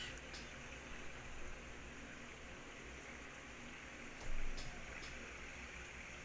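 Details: Steady fan-like hiss and low rumble with a few faint clicks and a brief swell of noise, without any animal call.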